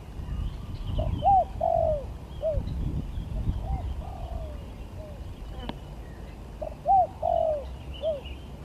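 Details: Spotted dove coos in a gagap, tindan and klantan song contest: two short bursts of low, hollow, arched notes several seconds apart, over a low rumble, faint murmuring and distant chirps.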